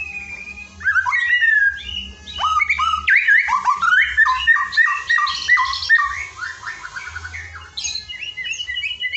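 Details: White-rumped shama filler song for training a lazy singer: a dense, continuous run of fast varied whistles, slurred up and down and repeated about three times a second, with a low background hum.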